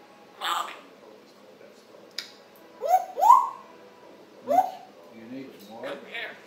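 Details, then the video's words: African grey parrot kept as a pet, chattering in the morning on July 26, 2021: hooting, arched whistled notes in a pair near three seconds, then a shorter whistle and soft mumbling sounds in a quiet room. "African Gray Parrot MICHAEL morning chatter"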